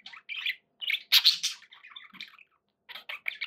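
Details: Pet budgerigars giving scattered short chirps and scratchy squeaks, one louder buzzy burst near the middle, then a brief quiet gap before a few more quick notes.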